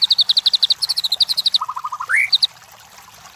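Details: White-rumped shama song used as a lure to rouse competition birds: a fast run of high repeated chips, a short series of lower even notes, then an upward-sliding whistle and two final high chips.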